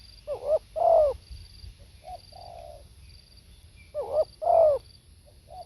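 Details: Spotted dove, live recording: two full phrases, each a pair of strong hoarse coos followed by quieter short coos, repeated about four seconds apart over a faint steady background hum.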